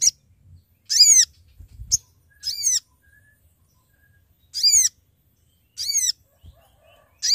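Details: Sooty-headed bulbul giving companion-calling notes used to lure birds for trapping: a string of sharp, downward-curving harmonic calls repeated irregularly every one to two seconds, with soft low knocks between.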